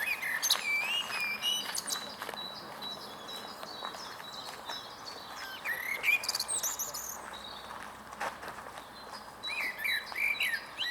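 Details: Blackbird, a male, performing from a tall stump on the Huys te Warmont Estate on 22 April 2022; low warbling phrases recur at intervals over many high chirps and trills from other background birds.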